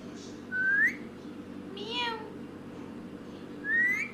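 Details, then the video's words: Parrot near a selfie camera gives two bright rising whistles, one early and one at the end, with a lower harmonic squawk-like call between them, against a constant low background hum. "parrot talking with selfie camera"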